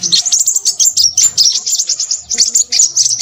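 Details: Close, shrill twitters of a noisy Crimson sunbird: quick high chips in pulsing bursts, several each second, with no other clear sounds.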